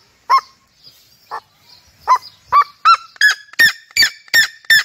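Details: Red-legged seriema giving a loud series of harsh, yelping notes that climb in pitch and quicken, spaced roughly three per second, each note ringing with rich overtones against a quiet background.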